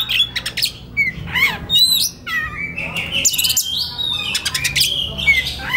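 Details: Relaxed white-rumped shama song serving as a master for training young forest birds; sharp down-slurred chips, buzzy rattles and stretched whistles follow in quick succession, with faint background hum.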